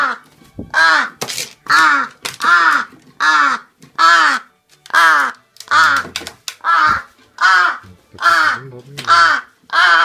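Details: A crow calls out before being given food, harsh nasal caws repeated steadily about once a second, each slightly downward-bent, with short gaps between them and a brief human voice in the background.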